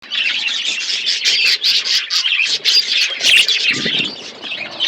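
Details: Several budgerigars chirping while eating food: dense, continuous chattering of scratchy squawks and warbles, high-pitched and overlapping, with brief dips in loudness.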